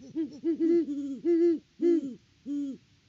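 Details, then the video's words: Two great horned owls together at a farm nest in Kansas, autumn: dense, overlapping low hoots of varying length, some layered one over another, closing with a single separate hoot. "HootFest @ the Nest!"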